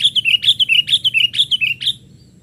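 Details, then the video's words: Lure recording of a young sooty-headed bulbul playing among twigs: a rapid run of about a dozen bright, bubbly chirps in paired notes, steady and loud for two seconds, then stopping, with clean quiet background. "Pikat kutilang muda main ranting"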